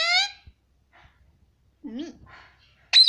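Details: Indian ringneck parrot saying "mummy" again and again: a sharp harmonic call at the start and a shrill burst at the end, with a quieter low wavering phrase in the middle and near silence around it.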